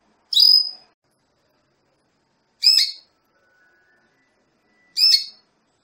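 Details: Calls of a female Belgian canary kept to excite a male for breeding: three brief buzzy chirps spaced a little over two seconds apart, with a faint thin whistle between them.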